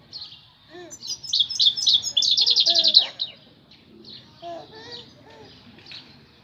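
A European goldfinch sings a bright, rapid twittering jumble of high liquid notes and buzzy trills, building to a fast tinkling rattle before softer chirps.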